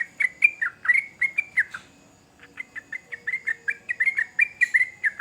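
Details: Sooty-headed bulbul delivering quick, sharp chirping notes, pausing for nearly a second, then resuming with a faster, denser string of bright, slurred chirps.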